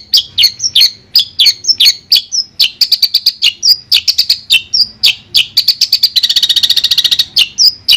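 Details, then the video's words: Long-tailed shrike of the Madura type in a clear tutor recording: sharp chattering notes and short whistled slurs pour out in quick, uneven bursts, ending in a rapid buzzy rattle near the close. "Suara Jernih Masteran Burung Cendet Madura"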